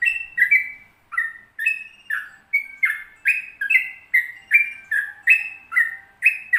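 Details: Sooty-headed bulbul, played as a training recording to prompt other bulbuls to sing, giving a long run of short, rich, whistled two-note phrases, rising then falling, repeated about twice a second without pause.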